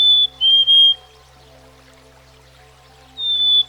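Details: Backyard Black-capped Chickadee whistling its sweet descending two-note song, one full phrase at the start and the opening note of another near the end, set against a quiet steady hum.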